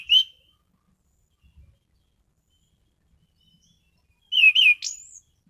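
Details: Orange-headed thrush in captivity, giving a short whistled note, then after a pause a loud slurred whistled phrase with a thin high upslurred ending; quiet surroundings.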